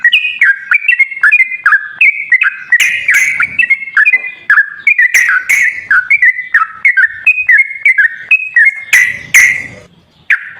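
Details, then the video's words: Sooty-headed bulbul used as a lure to get a reluctant bird singing, pouring out a long series of short whistled, bouncing phrases in a steady flowing rhythm, with occasional sharp clicks, fading near the end. "TERAPI BURUNG TRUCUKAN MALAS BUNYI//ISIAN PANCINGAN TRUCUKAN YANG MALAS BUNYI"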